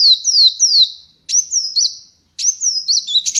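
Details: Kolibri wulung sunbird perched on a hand outside its cage: three high, downward-slurring whistles, then short phrases of twisting chirps and thin sharp notes separated by brief silences.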